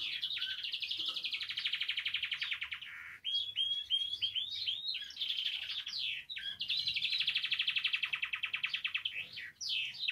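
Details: Canary singing, played to encourage other canaries to sing: loud fast rolling trills, a burst of varied sweeping whistled notes in the middle, then another long rapid trill.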